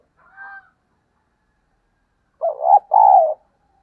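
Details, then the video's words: Lure recording of a spotted dove meant to call in other doves: a brief higher note, a pause, then a loud two-part coo, a short rising hoot followed by a longer steady one. "Tiếng Cu gáy kích bổi nhanh nổi, kích mồi, thúc gù Gáy Gọi"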